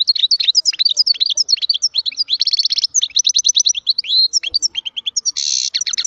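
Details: Continuous European goldfinch song: rapid liquid twitters and chirps tumbling without a break, mixed with fast rattling trills and one harsh buzzy note near the end.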